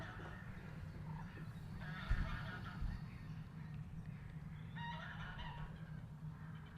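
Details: Geese feeding on grass, seen from a hide at a wetland nature reserve in Norfolk, UK. A few short nasal honks break through at intervals over steady low rumbling background noise.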